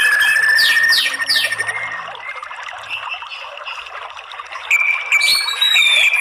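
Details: White-rumped shama song used to provoke males to sing back: a long level whistle and quick downslurred chirps, a quieter middle stretch, then loud sweet whistled notes again.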